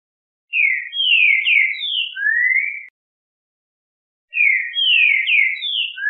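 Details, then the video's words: Green-winged saltator sings two loud phrases of rich, clear whistled notes, each rising and slurring down, about four seconds apart; played daily to warm up other green-winged saltators into singing. "O MELHOR CANTO PARA ESQUENTAR QUALQUER TRINCA FERRO"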